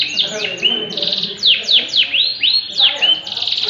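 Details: Loud swooping whistles from a yellow canary, each note sliding down then up in quick succession, broken by short buzzy trills, over faint low background sound.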